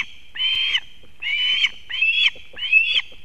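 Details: Osprey at a nest in Kurzeme, Latvia, on 31 August 2024, as the female brings fish to her chick, filmed by a live nest camera. Four drawn-out, slightly rising whistled notes, evenly spaced about every 0.7 seconds, over quiet background.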